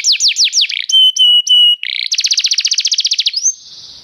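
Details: A restless canary singing: a run of rapid falling sweeps, then steady whistled tones with high overtones, a brief buzzy note, and a long fast trill of about twenty even pulses ending in a thin sustained whistle.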